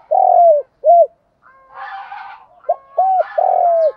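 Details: Spotted dove giving its call to stimulate other doves: a long mellow falling coo and a short arched note, a burst of twittering from other birds, then more arched notes and another drawn-out coo.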